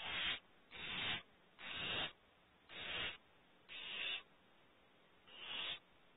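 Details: Barn owls in a nest cavity in California around 3:34 at night, after a second, smaller prey drop: rasping, hissing screeches about half a second long, repeated roughly once a second with short quiet gaps.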